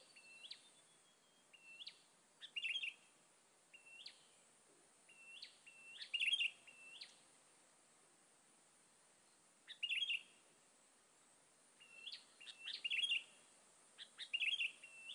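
A sooty-headed bulbul gives short, bright chirping notes, in loose bursts every few seconds, over a steady high insect-like hiss.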